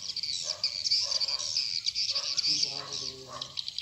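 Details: Swiftlet lure call ('sp rambut lmb original') for attracting birds to farming houses in Indonesia: massed high, buzzing twitters throughout, with a few lower, tonal notes appearing briefly in the background.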